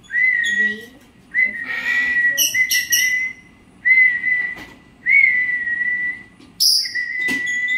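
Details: Parrot chirping: a run of long, level, pure whistled notes separated by short pauses. Harsh, raspy squawk bursts break in between the whistles, and a shrill high squeal sounds near the end.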